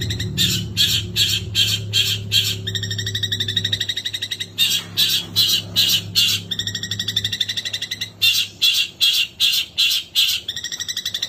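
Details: Long-tailed shrike in a long 'nembak' song: loud, rasping, harsh bursts in rapid series of five or six, alternating with thinner, chattering twitters, with a low hum underneath early on.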